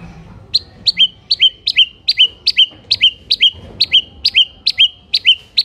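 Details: White-rumped shama singing hard to provoke other shamas: a rapid run of identical two-part notes, a sharp high chip dropping into a short whistle, repeated about every third of a second.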